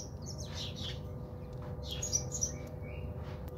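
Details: Bathing house sparrows in a South African home garden give quick, irregular high chirps, about three every second, with a soft background hum.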